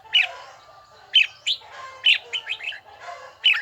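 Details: Voice-training red-whiskered bulbul giving loud, bell-like whistles at intervals of about a second, some followed by short chattering notes, over a soft background hiss.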